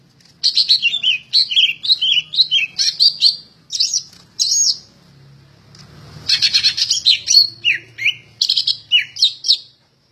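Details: Greater green leafbird in vigorous song, said to be ready for contest hanging: long fast sequences of chattering high notes and slurred whistles, broken by one short quiet spell before resuming.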